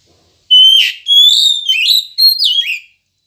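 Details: Oriental magpie-robin song used to prompt caged birds to sing in the morning: loud clear whistled phrases around a steady high pitch, a long sustained note followed by warbling slurred notes, no other sounds.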